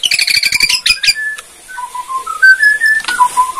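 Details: Borneo white-rumped shama kretekan song: a rapid dry rattle of repeated notes opens, then pure whistles climb step by step before dropping to low fluting tones.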